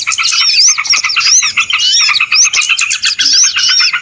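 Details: Lure recording of small birds for trapping: loud, unbroken twittering from many birds at once, with bright upward-sweeping whistles and arching notes over a steady bed of quick chirps.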